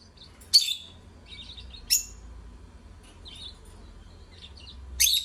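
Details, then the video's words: Singing lovebirds give loud, sharp high chirps about every one and a half seconds, separated by quieter chattering twitters, over a faint low hum. "Love Birds Singing"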